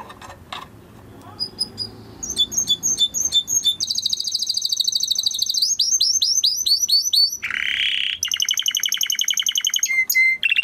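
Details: Canary of the Timbrado breed singing a training song: after a quiet start, a long chain of varied rapid trills, rolling tours and buzzy bursts changing every second or two, ending with clear whistled notes.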